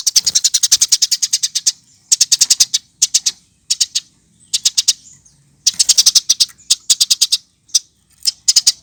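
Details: Eurasian tree sparrow chattering loudly in a tutor compilation for training birds: rapid, high, sharp chirps, about a dozen in an even run, then short clustered bursts separated by brief silences.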